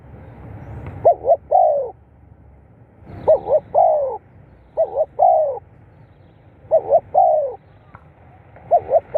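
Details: Spotted dove calls, played to stimulate captive birds: each phrase is a quick doubled coo followed by a longer, mellow falling coo. Phrases repeat about every two seconds with quiet gaps and a low background hum.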